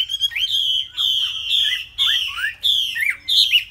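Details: Three-month-old caged Chinese hwamei giving loud, clear whistled phrases, each a sustained bright note ending in a quick downward slur, repeated about every half second with short pauses between.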